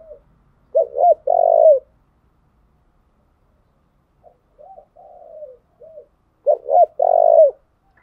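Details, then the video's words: Decoy-training song of a spotted dove. The full phrase repeats twice: two sharp hooked notes, then a long loud coo, separated by a run of soft descending coos in a quiet setting. "tiếng cu gáy thúc bổi căng lửa và gáy goi bao sung, Tiếng cu gáy mồi chuẩn"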